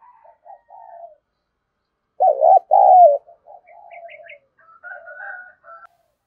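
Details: Spotted dove cooing to stir other doves: a loud pair of mellow coos mid-clip, surrounded by faint, soft cooing notes and a few quiet higher chirps.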